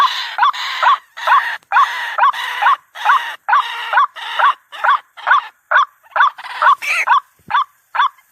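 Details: White-breasted waterhen lure sound: louder, broader, rasping croaks in a rapid repeated series, about two per second. The notes become shorter and more clipped toward the end, with a harsher, noisier tone than a clean call.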